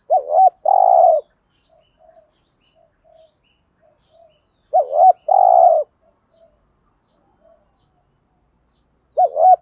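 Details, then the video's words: Spotted dove 'thúc gù' lure song meant to excite wild birds into singing back. Roughly every four to five seconds comes a double wavering coo plus a long purring note, with soft short coos and faint ticks between phrases. "tiếng cu gáy THÚC GÙ bài bản/ chim cu gáy giọng bài bản giúp bổi ức chế và gáy theo"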